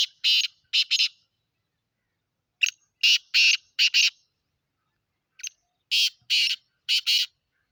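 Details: Calling black francolin from Sindh, Pakistan: loud, buzzy, scratchy phrases of a brief lead note and three or four broad rasping syllables, repeated about three times with silent gaps.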